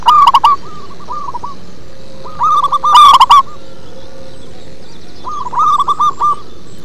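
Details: Local zebra dove in full song with a deep, bassy voice, giving rapid strings of mellow trilled coos about three times in seven seconds, one loud phrase standing out over a quiet steady background.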